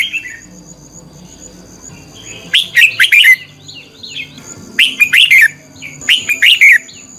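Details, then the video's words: A lure red-whiskered bulbul gives dueling song meant to train and prompt other birds to sing. After a quiet start there are three lively bursts of bright chirped, warbling notes. A thin continuous high tone runs behind them. "Chào mào mồi hót đấu quá tuyệt!! - Luyện giọng Chào mào hót hay ép bổi sổ bọng và căng lửa"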